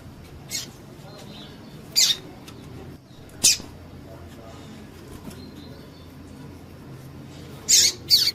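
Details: Calls of a female double-collared seedeater, played to stimulate a male's singing: sharp high chirps spaced unevenly, ending with a quick double chirp, over quiet low hum.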